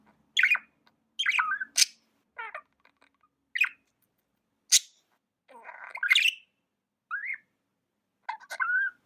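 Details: Pet budgerigar chirping: short scratchy chirps, sharp clicks and warbled notes with bent pitch, sounding in separate bursts across nine seconds with brief silent gaps, no other sounds.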